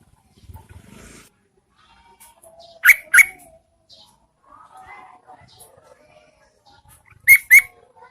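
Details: Female yellow-vented bulbul calling to entice males in rainy-season conditions: two loud, sharp, bubbly double chirps separated by several seconds, with a soft low whistle and faint murmurs between them.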